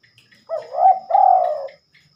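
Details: Single cooing phrase from a spotted dove heard at night, when it seldom sings: a warbling hooked note gliding into a longer, mellow, slightly descending coo, in near silence.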